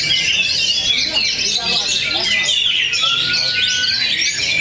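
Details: Contest Oriental magpie-robins at Cikeas deliver bright, varied warbling and rapid twittering notes, many birds overlapping, with one clear sustained whistle partway through and soft human voices underneath.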